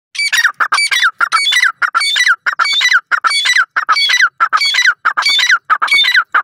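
Grey partridge giving harsh, creaking, rasping calls, repeated rapidly about one and a half times a second with little pause.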